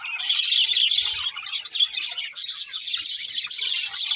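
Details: Pet budgerigars, a breeding pair with family: continuous high scratchy warbling and chirping chatter with quick squawky notes.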